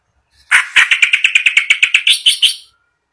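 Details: Clamorous reed warbler, a kept bird, in vigorous day-and-night song: one harsh phrase of about fourteen quick grating notes, evenly spaced, the last few rising higher and shriller before stopping abruptly.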